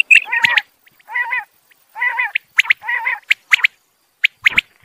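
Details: Male and female quail: rolling, gurgling, harsh phrases alternating with loud, sharp, high single and double notes at irregular intervals.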